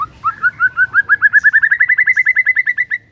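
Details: White-rumped shama song to coax a silent bird into song: a long run of rapid hooked whistled notes that speed up and rise slightly in pitch over three seconds.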